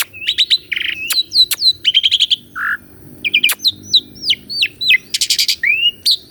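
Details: Asian pied starling singing a rich mix of phrases used to coax a caged starling into song; clipped whistles, buzzy stacked notes, hooked upslurs and a low throaty note, steady and quickly paced.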